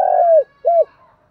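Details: Spotted dove, thúc gù coo with giọng đồng voice: the tail of a long purring note drooping downward, then a single short rounded coo, clean and close, with no other sounds.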